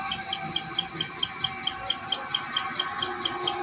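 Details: Common tailorbird at the nest giving short, high, clipped chirps about twice a second in an even series over a steady background hum.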